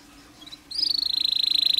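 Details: Canary song meant to prompt stressed canaries: after a faint note, a fast, even, high trill of rapidly repeated pulses begins and holds steady.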